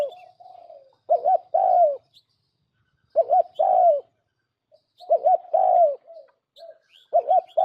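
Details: Spotted dove call used as a trapping decoy: three phrases about two seconds apart, each a quick doubled low note then a fuller, sagging coo, with a soft trailing coo at the start and faint high chirps.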